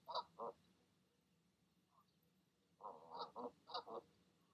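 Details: Evening calls of a goose urging goslings to leap from the nest: two quick nasal honks, a pause, then a rapid cluster of five rough, grunting honks.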